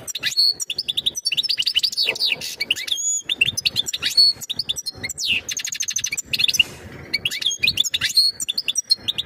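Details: Long run of European goldfinch mating song meant to prepare the female for breeding: continuous tinkling twitters, arched slurred whistles, fast trills and short buzzy notes repeated over nine seconds.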